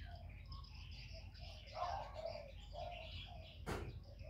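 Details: A decoy spotted dove coos in a contest with a wild bird, giving a clear pair of low mellow coos mid-clip among scattered high bird chirps and a sharp click near the end.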